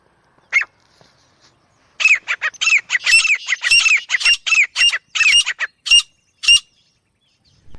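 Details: Francolin calling in jungle: one isolated rasping note, a pause, then a burst of loud, scratchy, hooked notes in fast uneven clusters for about five seconds, ending abruptly.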